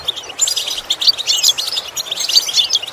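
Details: European goldfinch training song: clear, rapid tinkling twitter made of short chirps and bright whistled accents, running continuously across the whole clip over a quiet background.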